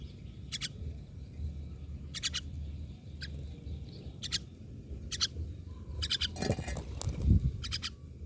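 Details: Regular grating myna calls, single and paired, recur every second or so, with a brief loud noisy rustle partway through and continuous low rumble.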